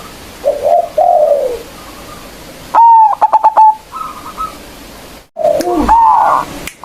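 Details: Local zebra dove lure recording meant to call rival birds: soft coos precede a loud whistle and quick staccato notes, with other overlapping coos and a second bright whistled phrase near the end.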